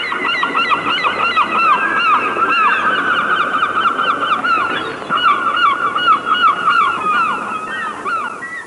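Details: Wild birds calling in nature: a dense, continuous chorus of many voices, with rapid arched, honking notes repeated over and over at a steady mid pitch and a busy background of overlapping calls.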